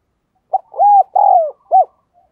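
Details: Spotted dove used as a decoy, cooing loudly: a short lead note, a smooth arched coo, a longer coo falling at its end, and a final rounded coo, clean and quiet around it.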